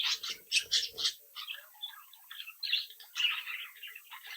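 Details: Captive brood of young budgerigars chattering and chirping while playing together; a burst of quick stacked chirps at the start, then scattered warbling notes, with a faint low thumping sound early on.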